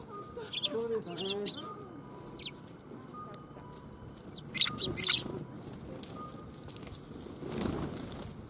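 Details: Sparrows arriving to be fed at a Tenmangu shrine on 1 January 2021 give short, high, sharp chirps in two bursts, one early and one midway, with a lower tonal sound near the start and soft background hum.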